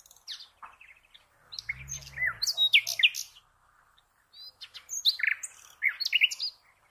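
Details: Common nightingale song for cage-bird training: two bouts of varied high whistles and sharp rapid notes separated by a short silence, with a brief low rumble during the first bout.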